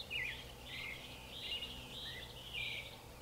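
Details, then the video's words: Creamy-bellied thrush giving a continuous, warbling stream of mid-high chattering and slurred notes with no real breaks, over a low humming background. "sabiá-poca (Turdus amaurochalinus)"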